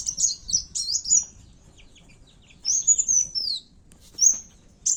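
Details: Kowul fighting call used to lure birds. It opens with a cluster of high, sharp chirps, pauses, then gives a longer squeaky whistled phrase and brief high notes.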